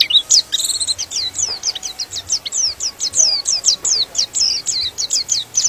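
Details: White-eye singing to rouse other white-eyes: a continuous, fairly quiet chatter of rapid high, sliding chirps running almost without pause over a noisy background.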